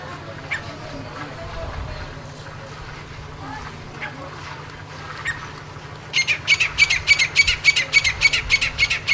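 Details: Low rumbling background with faint scattered notes, then a Grey francolin breaks into a rapid, very regular string of sharp high calls during the last three seconds.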